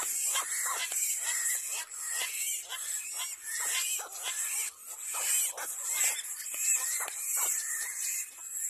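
Little black cormorant giving harsh, squealing calls over and over, roughly one a second, against a steady high insect-like hiss.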